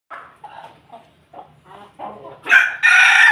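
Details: Ayam Ketawa chicken kept with a family of Pelung chickens, crowing: a stuttering series of short, laughing syllables around mid pitch with uneven spacing, ending in two loud, harsh, drawn-out bursts.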